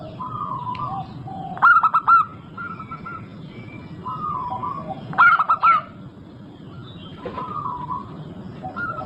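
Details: Zebra dove of local stock singing as a lure for other birds: two phrases of four rapid, clipped coo notes about three and a half seconds apart, with gentle whistled notes from other birds in between.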